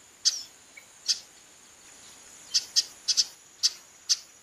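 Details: Female chestnut-capped blackbird calls insistently: abrupt, bright chip notes, a few spaced apart and then a rapid run of four or five close together. A faint steady high tone lies beneath.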